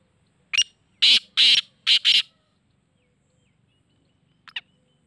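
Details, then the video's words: Black francolin giving harsh, grating bursts: one short rasp, then four louder scratchy notes in quick succession. The notes come as a closely spaced pair followed by another pair. A faint brief squeak follows after a pause, against a quiet background. "Teetar awaz - Kala teetar awaz"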